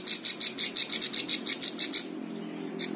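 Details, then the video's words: Plain prinia (ciblek sawah) song meant for training other birds: a quick string of sharp, buzzy high notes repeated evenly for two seconds, then a pause and one more note, over a soft low hum. "Ciblek sawah cocok untuk masteran semua burung"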